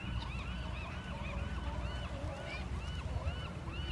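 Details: Marbled godwits in flight on a fall day in Westport give a busy chorus of nasal, rising-and-falling calls, several birds overlapping in quick succession, over a steady low rumble of wind and surf.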